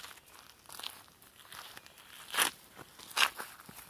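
Only crunching and crackling noises are heard, with two sharp clicks standing out near the end and no animal calls.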